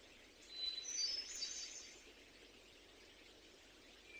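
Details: A thrush singing in the wild gives a quick phrase of high, thin whistled notes lasting about a second and a half, then falls quiet over a steady outdoor hiss.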